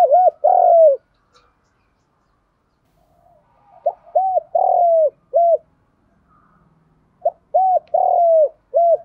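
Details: Captive spotted doves, male and female, used by bird keepers to stimulate their doves to call, give deep repeated coos: one phrase opens the clip, then two full phrases of short notes around a long falling coo, with quiet pauses between.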